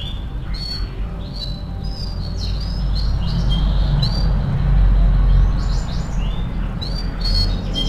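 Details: Training-song recording of a lively canary: short separated whistled chirps and upslurred notes, several per second, interspersed with brief trilled bursts, while a low mechanical rumble swells in the middle.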